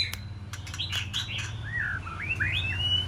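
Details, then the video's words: White-rumped shama aged six months practising song: a few clicks followed by rising and falling whistled slurs, ending on a sustained high whistle, over a steady low hum. "Chòe lửa mái ổ tập hót"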